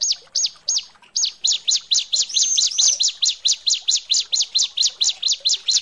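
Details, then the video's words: Continuous run of high, sharp chirps, about four a second, from a female bar-winged prinia calling the male; a few thin whistled notes are mixed in partway through. "Suara ciblek betina panggil jantan"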